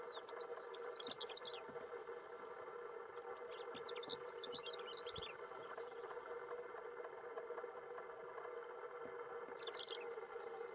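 Greater short-toed lark giving brief, high twittering phrases of chirpy notes, separated by pauses of several seconds, over a steady low hum like distant traffic.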